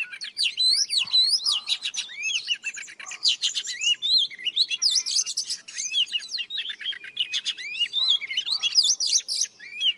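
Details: Old Oriental magpie-robin from the wild singing at dawn: dense, energetic stream of rising and falling whistles, quick trills and scratchy notes, sustained for ten seconds.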